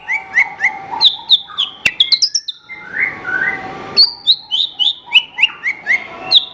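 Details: Song of a Horsfield's bush lark, played as a master recording to train champion songbirds: rapid series of sharp chirps dropping in pitch, a brief twittering break and a click, then another falling run.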